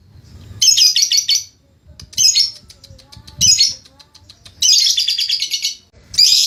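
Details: Lovebird during ngekek training gives short harsh chattering bursts separated by pauses, one longer buzzy rattling phrase after the middle, with soft low noise underneath.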